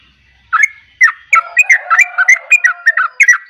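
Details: Bubbling gacor song of a yellow-vented bulbul. It begins after half a second of quiet with quick, liquid, chattering whistles, about three per second, over a faint low hum.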